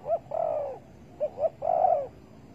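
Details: Spotted dove, recorded while being trapped with bare bait on 15 August 2020: a short note, a long hollow coo, two quick notes, then another long slightly wavering coo.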